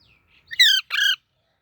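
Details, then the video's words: A baby parrot gives two harsh, buzzy chirps in close succession, each about a quarter second long and full of stacked overtones, after a faint thin tone; silence follows. "Baby Parrot Natural Sounds | Parrot Chirping Sounds"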